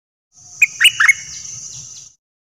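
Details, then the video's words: Nok dok taeng singing, a Thai recording played to teach young birds and rouse them: one brief burst of three sharp, slightly falling chirps against a constant thin high whine and soft low hum. "เสียงนกดอกแตงEp.2 ใช้หัดลูกนก เปิดให้นกคึก!!"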